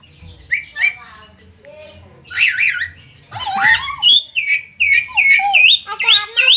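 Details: Javan myna, jalak kebo, in lively 'konslet gacor' song: squeaky, wavering whistles and rising-falling harmonic phrases that grow louder after a quiet, murmuring start, with faint voices underneath.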